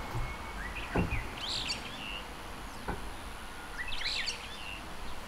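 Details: From a window, a brown-eared bulbul (Hypsipetes amaurotis) picked up by parabolic microphone gives two shrill, wavering screeches about two and a half seconds apart, with a thin high whine and low background hum.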